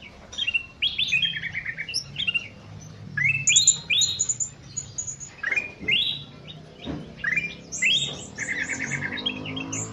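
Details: Bulbul in an aviary in the evening, singing long and persistently: varied bright whistled and chattering phrases in quick succession, some sliding notes and short trills, over a low steady background hum.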